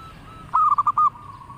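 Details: Local zebra dove singing actively with a melodious voice: a short burst of rapid, clipped cooing notes at steady mid pitch, then a fading hum-like tone, over a low background rumble.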